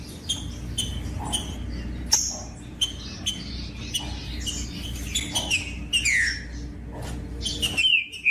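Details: Song of a green-winged saltator, used to get other birds of its kind singing: a run of clear whistled notes building to loud downslurred phrases toward the end, with a steady faint low hum in the background.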